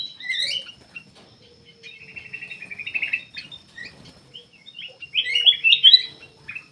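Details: Black-capped bulbul in steady, lively song used to lure other birds: a loud slurred whistle, a long chattering trill, scattered chirps, then a bright cluster of quick rising and falling whistled notes.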